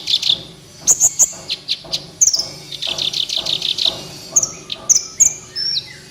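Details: Van Hasselt's sunbird in gacor song, used to prompt lazy captive birds: high squeaky notes, a rapid series of repeated chirps, then scattered sharp whistles.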